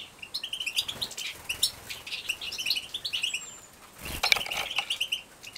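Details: Breeding European goldfinch young in Poland, 2017, at lunchtime give strings of short, bright chirps and twittering notes, a thin whistled slide, and a sudden flurry of wingbeats near the end.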